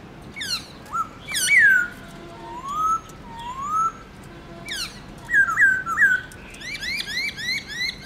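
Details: Morning song of a kept black-throated laughingthrush in the multi-note 'forest voice' style. Bold slurred whistles, two slow rising fluty notes and quick bouncing phrases give way to a short series of rising chirps.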